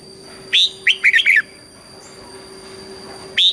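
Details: Red-whiskered bulbul song in the southern master style from Thailand, played to teach young birds: one quick phrase of a high whistle and four rolling chirps, then the opening note of the next phrase after a pause.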